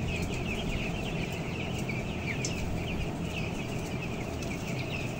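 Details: Broiler chickens, 14 days old and weighing 525 grams, housed 11,000 strong on the upper floor of a closed house; a dense chorus of short chirps and peeps over a constant low droning hum.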